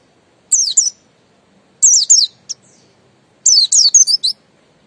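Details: Three short bursts of thin, high, downward-sweeping whistles from a Buxton's white-eye singing ngalas, with a single chip note and quiet gaps between phrases.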